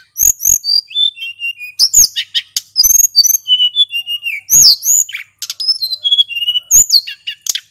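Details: Male hill blue flycatcher in rolling, energetic song, recorded as a lure: long runs of sweet whistled phrases that slide downward, broken by sharp snapping clicks and high chips.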